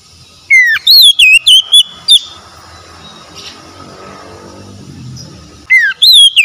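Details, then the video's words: Oriental magpie-robin song for restoring stressed, silent birds: a dropping whistle and a string of loud looping whistles, a long quiet pause, then the same phrase starting again. "TERAPI TERAMPUH PEMULIH KACER SETRES BISU MACET BUNYI LANGSUNG GACOR"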